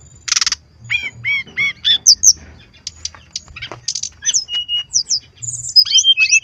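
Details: Brown-chested jungle flycatcher singing in the lively gacor style used to lure other birds into song. High, varied phrases: a buzzy burst, then repeated down-curving whistles, sharp chips and thin high whistled notes in quick succession.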